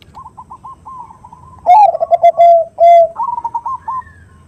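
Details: Female perkutut (zebra dove) calling to a male in a 'khung' lure recording: light rapid stutters, then two strong deep rolling coos, then a brighter stuttered phrase trailing off.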